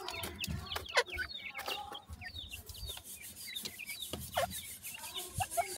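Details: Grey francolin chicks calling for their mother: many short, high, thin chirps, often sliding downward, scattered irregularly and overlapping, mixed with loud rubbing, scraping and handling noises throughout.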